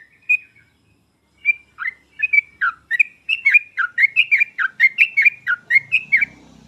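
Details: Sooty-headed bulbul singing, a recording meant to provoke lazy or hesitant bulbuls into answering: a few spaced whistled notes, then a lively unbroken string of clipped, bouncing chirps with faint low rumble near the end.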